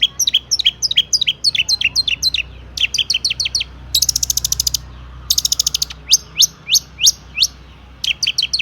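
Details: Long-tailed shrike song rich in imitated phrases, meant to prompt other shrikes to sing. Series of sharp, high, descending whistled notes, twice interrupted by buzzy rasping bursts, then a few slower clear slurs.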